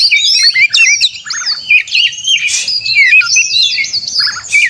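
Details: White-rumped shama, known locally as kacer, in fighting song used to provoke other shamas into singing: a dense, continuous run of varied whistles, quick chirps and sweeping high notes, with buzzy bursts and no pauses.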